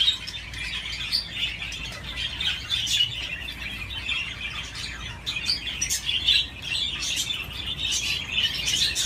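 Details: Budgerigar on a swing keeps up rapid, scratchy warbling chatter, a mix of short chirps, squeaks and buzzy notes with small swells in loudness.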